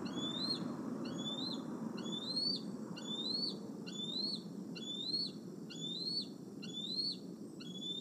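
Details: Male bald eagle at Decorah, perching by nest N1 on an August 2020 evening before roosting; clear, strong upward-sweeping whistled calls with a quick drop, about one per second, over soft low background noise.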